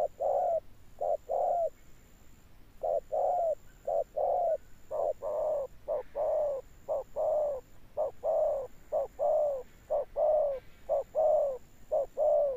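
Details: Long persistent bout of 'âm sấm' spotted dove cooing, short-long paired coos about once a second for over twelve seconds, becoming stronger in the second half, with a faint high hum throughout.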